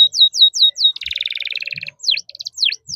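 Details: Canary singing 'cuit cuit' style: a few repeated falling chirps, a dense buzzy rattling roll lasting about a second, then sharp V-shaped chirps.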